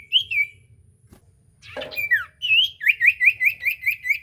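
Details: Lure song of a common iora meant to make a silent bird answer: a few whistled slurs, a brief rustle, then a fast even string of repeated rising whistles.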